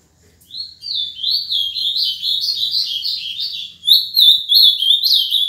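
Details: Caged seven-year-old azulão, or ultramarine grosbeak, from Paraná, Brazil: a continuous lively song of quick, slurred, up-and-down whistled notes running for nearly five seconds, growing louder toward the end, with faint low background hum.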